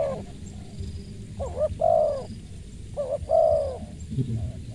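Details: Spotted dove with a crisp, clear voice: two cooing phrases, each a short note followed at once by a longer, slightly falling coo, then a faint start of another. Steady low background hum.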